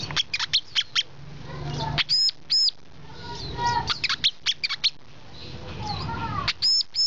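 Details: Brown-throated sunbird mixing rapid high chips with loud, arched, ringing notes given in pairs, with gaps of quieter background murmur between bursts.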